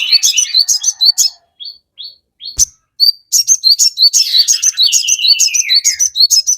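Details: Crested jay in full song, played to provoke other birds into answering. Bursts of high chirps give way to short upslurred whistles, then a dense, fast chattering of sharp notes with a brief descending trill.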